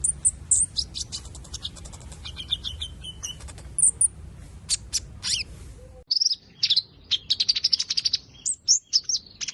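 Purple-throated sunbird giving very high, thin, sharp chirps and twittery bursts, clustered rapidly in the second half, over soft background hiss.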